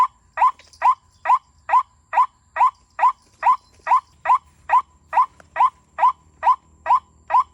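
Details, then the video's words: White-breasted waterhen in Indonesia boldly challenging a trap. It gives a steady series of short, identical notes, evenly repeated about twice a second, each a brief mid-pitched burst against a quiet background. "Burung ruak ruak ini sangat berani menantang racik"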